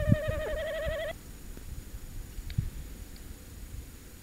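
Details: Tawny owl on a short visit at De Mortel, recorded on a live camera at night, 27 January 2021 at 21:49. A single wavering, tremolo hoot lasts about a second and cuts off abruptly, followed by low thumps and faint background noise.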